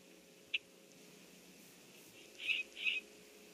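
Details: Bronzed common grackle perched on a limb of its nest tree, recorded 30 May 2014: one short sharp chip, then two slightly longer rough notes about 0.4 seconds apart over a quiet background with a faint steady hum.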